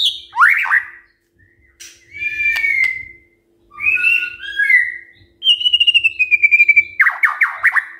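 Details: White-rumped shama singing in the morning to provoke other birds: a swooping whistle, smooth sustained whistled phrases, a long descending note and a fast run of repeated bright notes near the end.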